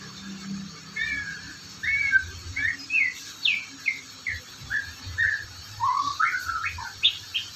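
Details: Magpie-robin singing a varied string of short whistled notes, some slurred up or down, some warbled, spaced roughly every half second, over a low background rumble.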